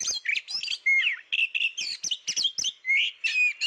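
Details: Hidden Oriental magpie-robin in full, nonstop song: dense run of sweet whistles, sharp upslurs and harsh buzzy notes tumbling together with almost no pauses.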